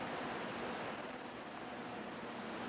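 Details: Yellow-faced grassquit singing one brief high note, then a fast, thin, insect-like buzzy trill of rapid pulses lasting over a second, against quiet background hiss.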